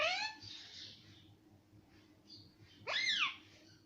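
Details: A parrot reputed to say mummy and papa utters a brief rising syllable, falls quiet, then gives a louder arched, bending phrase near the end against faint room noise.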